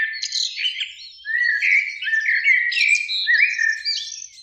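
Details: Eurasian blackbird singing in spring from a beech tree by a lake at evening, two birds singing; rich fluting warbled phrases sliding around low-mid pitch, followed by higher squeaky twitters, loud and continuous.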